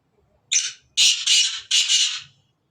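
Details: Sindhi black francolin calling: a short, scratchy opening note, then three loud, harsh, rasping notes run close together, the second pair slightly separated, all in clear quiet surroundings.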